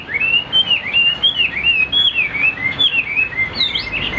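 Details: Tame caged Chinese hwamei kept for its voice, delivering a chain of clear, looping whistled phrases, each rising then dipping, repeated smoothly about twice a second, ending in a higher upward sweep.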